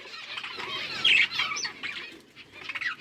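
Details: Budgies recorded October 27, 2023, giving soft warbled chirps and a louder squeaky phrase near the one-second mark, over muffled rustling and fluttering.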